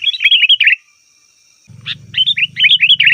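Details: Sooty-headed bulbul in noisy chattering mode, a call used to lure wild bulbuls in forest. Bursts of rapid, bubbly, warbled notes break off into a short silence, then resume over a low steady hum.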